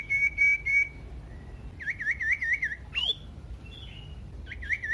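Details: Varied loud song of the common iora, played to make other ioras sing: three short level whistles, a wavering trill of dipping notes, a sharp rising whistle, and more wavy whistled phrases.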